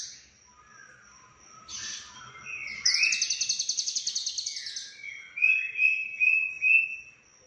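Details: Lovebird from Cililin in konslet style with full fill-ins: mixed chirps lead into a loud pulsing buzzy trill, followed by several clear whistled notes about half a second apart.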